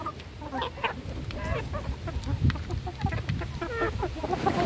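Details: Hens being fed give scattered short clucks and a few drawn-out notes, with thumps and pecking clicks around them.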